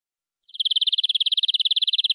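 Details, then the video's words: Local canary, wild forest stock, singing a richly varied tutor song: a fast, buzzy rolling trill that starts suddenly and runs continuously at an even pitch, with no other sounds. "Suara Burung Kenari Lokal Full Isian Durasi Panjang"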